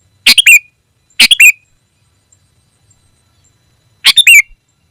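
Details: Sooty-headed bulbul calling a rival, three abrupt harsh chirped bursts, each ending in a brief twanging note, two close together and one after a pause of nearly three seconds, with a quiet background.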